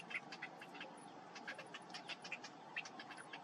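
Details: Begging Cinnamon bittern chick being fed by its parent, uttering short, sharp chirps and clicks in irregular bursts, each quick and separate, over faint background hiss.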